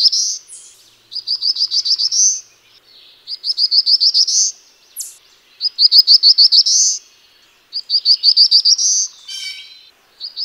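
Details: Black-throated blue warbler song: high, buzzy phrases of rapid repeated notes that rise at the end, one phrase every two seconds or so, with no other sounds.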